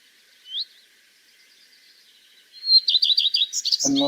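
A Common Redstart sings a rising whistled opening note, then a quick run of repeated high twittering phrases. A man's voice cuts in at the end.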